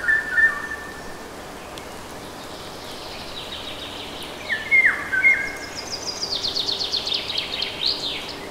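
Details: In Debrecen's Nagyerdő forest, a Eurasian golden oriole gives short, fluty whistled phrases that slide downward, at the start and again midway; another bird adds a rapid buzzy trill near the end.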